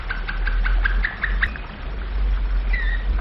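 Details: Domestic canary in flute-style (flawta) song: a quick run of short whistled notes repeated evenly, followed by one longer falling whistle, over steady low engine-like rumble.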